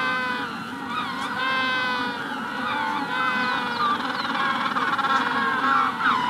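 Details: Braying of many Magellanic penguins in a colony during hatching, rough harmonic notes repeated several times a second and swelling toward the end, with faint high sparrow whistles behind.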